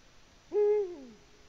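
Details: Eurasian eagle-owl on the nest in Latvia, 14 February 2020, producing one resonant low hoot with a steady core and a lengthy falling end, quiet background throughout.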